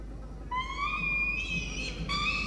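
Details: Peregrine falcon chick still hungry after a feeding, nibbling its mother's talons and beak: long thin whistled wails, slightly rising, repeated with short breaks over steady low hum.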